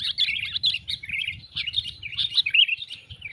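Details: Bird-trapping lure call of sooty-headed bulbul, rapid bubbly chirps and warbled notes in short overlapping bursts, over noticeable low rumbling background noise.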